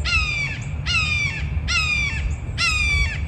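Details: Red-shouldered Hawk, territorial or breeding-season call: four strident, harmonic, slightly downslurred kee-ah screams spaced under a second apart, with a low rumble of wind or traffic underneath.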